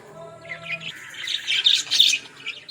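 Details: Australian parrot, that is budgerigar, in a village: a low steady hum at first, then bright scratchy warbles and squawks building to a dense burst of high chatter.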